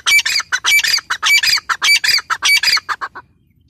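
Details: Female grey francolin calling in loud, harsh, squawking bursts, several per second, repeated in a quick rhythmic series for about three seconds, then stopping.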